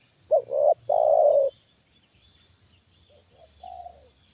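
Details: Trained decoy spotted dove reacting as a wild bird is lured down for the second time: two short hoarse coos then a long throaty coo, followed by a softer, more distant coo; a steady high-pitched pulsing hum in the background.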